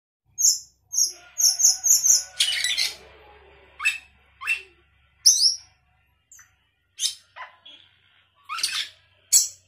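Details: Sooty-headed bulbul in full 'gacor isian' song, a lively song packed with inserted phrases: short high double chirps in quick bursts, then a buzzy rasping phrase, followed by scattered sharp downward whistles and clear slurred notes.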